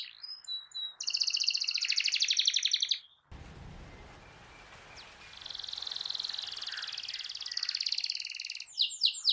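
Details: Canary singing to prompt a silent bird to start singing: dense, fast buzzy trills and rolling chatter for two seconds, then a brief break of broadband noise, then softer continuous rolling trills resume and end with sharp chirps.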